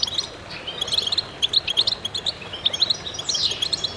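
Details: Several goldfinches twittering together: sharp, sparkling chirps in fast clusters, punctuated by a harsh, wheezy downslurred note late on, against a soft background hiss.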